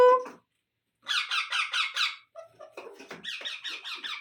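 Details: Baby Indian ringneck parrots being fed: after a brief low tone and a pause, a run of about five harsh, rasping pulses, then scratchy, irregular calls and a second rapid rasping series.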